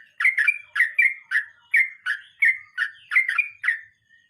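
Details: Rolling 'ngeroll mbonang' song of a sooty-headed bulbul: a steady string of loud, bubbly, slurred notes, several each second, sometimes paired, continuing for about four seconds before ending with a faint note.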